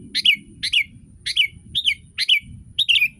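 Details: ['Sooty-headed bulbul tutor song meant to prompt a listening bulbul to sing along. Quick bubbly whistled phrases, each with a falling slur, come about twice a second over a low background hum.']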